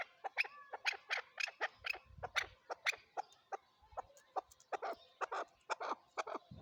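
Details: Chukar partridge uttering sharp, clucking notes in an uneven series, some brighter and higher, others duller, with a few soft low thumps between calls.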